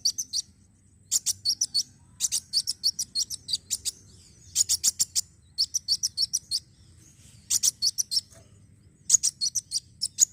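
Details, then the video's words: Sunbird song played to encourage other birds to sing: many short phrases of fast, very high, ticking chirps, roughly one burst every second or so, steady and energetic throughout. "Ampuh pancing bunyi burung kolibri wulung"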